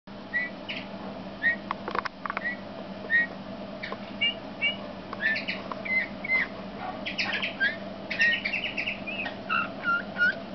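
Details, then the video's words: Male Eurasian bullfinch singing a soft, scattered mix of short piping whistles and creaky, crackling bursts, with brief pauses between phrases, over a steady low hum. "Cantec mugurar mascul"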